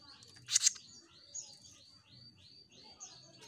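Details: Jenggot Mini bird singing actively: a loud double rasping burst, then a steady series of high downslurred whistles, roughly three per second.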